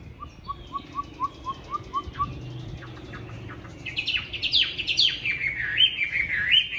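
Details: Chinese hwamei, a tame caged fighting bird in Hanoi, Vietnam, on a windy cold day: a series of soft, even rising notes, a short pause, then a burst of loud, varied, swooping high warbles.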